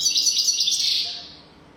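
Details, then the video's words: Brief golden-throat style European goldfinch song for teaching young goldfinches: a dense, buzzy, high twittering trill that fades away after about a second. "تغريد رهيب طائر الحسون حنجورة دهبية لتعليم طيور الحسون"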